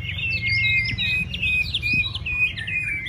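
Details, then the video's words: White-rumped shama singing in contest practice, kept spaced apart to build confidence: a rapid, dense run of high whistles and chirps delivered without pause, with a low hum beneath. "Kích lửa chuyền đấu hót solo sàng cầu rực rỡ"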